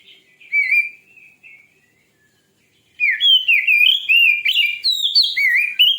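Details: White-rumped shama song, said to be fierce and used to rouse another shama: a few soft whistled notes, a pause, then a loud, fast torrent of rising and falling whistles and chattering notes.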